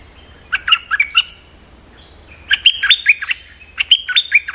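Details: Lure call of a stripe-throated bulbul, meant to draw out a territorial resident bird: lively runs of sharp, bubbling chirps and warbled notes in two or three quick bursts, clear above faint low hum.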